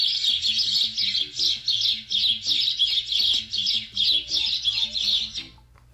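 A sparrow gives rapid, busy bursts of high chirping notes, about three a second, over soft low musical tones.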